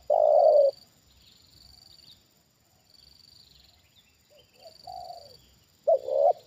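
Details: Trained decoy Spotted dove answering a wild bird lowered near it for the second time: a loud drawn-out coo opens, quieter distant coos follow, then a sharp two-note coo returns, with an intermittent high buzzing tone.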